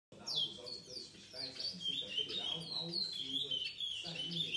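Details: Brown-variety chestnut-bellied seed finch, a seven-month-old bird recorded 4 August 2019, singing a fast run of varied warbled and slurred notes, some rising and some falling, with an indoor room echo behind.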